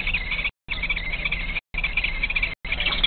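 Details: Harsh, raspy kestrel chick calls in long buzzy bursts separated by short pauses, from the last two young hiding on a shelf under the ceiling while the female arrives with prey; low background hum.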